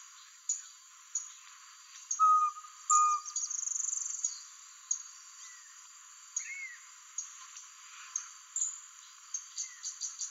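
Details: Least pygmy owl in Angra dos Reis, Rio de Janeiro, captured on a Nikon P900. Two pure, level whistled notes come early, followed by a few thin higher chirps and clicks against a steady hiss.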